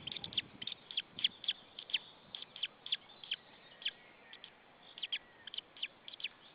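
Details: White-tailed eagle chick alone in its nest in Saunja, Estonia, on 26 April 2013 at 16:44, chirping after a parent left the nest and called in the air. Short, high, sharp chirps repeat in irregular runs and pairs, faint against a soft background hiss.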